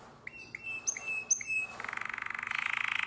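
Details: Canary of the nightingale-voiced singing style, from Drama, 2017: a few spaced clipped notes with a thin sustained whistle, then a dense buzzy rattle rising in intensity.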